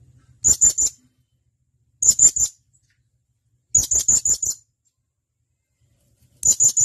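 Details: Blue-crowned hanging parrot, a male calling its companions, used as a tutor recording for songbird training: high, sharp chattering notes in tight bursts of three to five, the bursts returning about every two seconds against silence.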